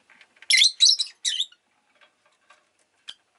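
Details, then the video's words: Pet rosy-faced lovebird bursting into three fast, loud, harsh chirps within a second, then quiet clicks and one last short chirp. "Lovebird Chirping Sounds"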